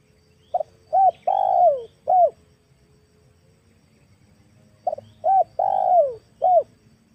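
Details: Female spotted dove call used as a lure for wild doves, two soft cooing phrases of four notes each, the third note longest and falling, separated by about three seconds of quiet.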